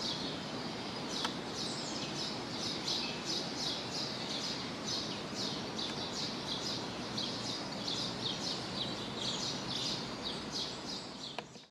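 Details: A Common blackbird at Choupal, Coimbra, Portugal gives a rapid series of high, sharp clicking and chinking notes, several each second, over a steady rushing background hiss.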